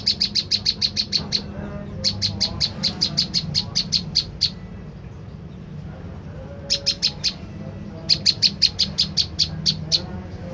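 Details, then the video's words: Olive-backed tailorbird call used as a lure to make wild birds answer. Rapid strings of high, dry chip notes come in runs of roughly ten, separated by short gaps, over a faint low background hum. "putar suara prenjak lumut ini dijamin prenjak stres//macet bunyi langsung nyaut"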